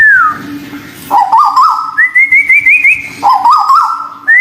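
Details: Therapy recording of white-billed bulbul from local and Malaysian stock: a falling whistle, bouncing mid-pitched warbles that step upward, then a higher run of rapid wavering notes, and the warbling phrase again. A low hum sits underneath.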